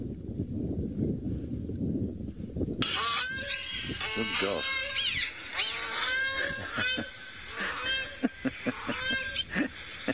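Grey Crowned Cranes give harsh, honking calls that rise and fall, overlapping in a raucous chorus after a few seconds of low rumbling.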